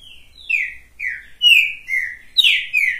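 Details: Captive green-winged saltator singing while perched on a hand: loud, rich whistled notes, each slurring downward, in a quick run of about six phrases with a faint low hum behind.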